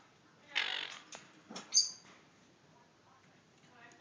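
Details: Caged baby Quaker parrots, four chicks, two male and two female: one long, rough, hissing squawk followed by a couple of shorter, sharper scratchy notes. A quiet pause follows, then a brief click.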